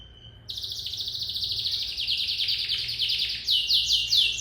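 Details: A lizard canary sings: a thin whistle, then a long rapid trill of buzzy repeated notes that gradually rises, ending in a series of bright downward sweeps, over low steady background hum.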